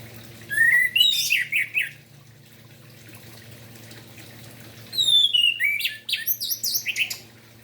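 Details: Orange-headed thrush in lively morning song, intended to stimulate silent thrushes to sing: a rising whistle leading into rapid zigzag warbles, a pause, then a longer run of fast varied twittering notes.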